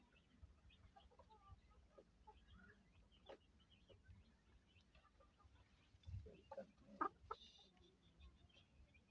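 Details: White Silkie chickens and hens give soft, scattered low clucks, with a short burst of louder, sharper clucks near the end over a steady low background hum.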